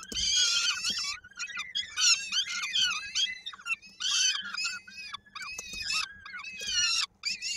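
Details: On 16 May 2022 in Koszalin, Poland, peregrine falcon chicks call as the female feeds them and one chick's foot is stuck in a beak: near-continuous harsh, buzzy screeching in bursts of one to two seconds, with a hum underneath.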